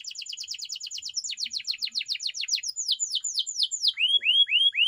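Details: Canary master song for training: quick repeated falling chips that slow into broader swooping notes, closing with several clear rising-then-falling whistles.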